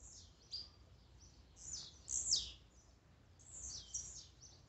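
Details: Blue-black grassquit song used as a warm-up to stir a kept bird: several thin, high, buzzy downslurred notes in loose succession, some overlapping faintly, over a low steady hiss.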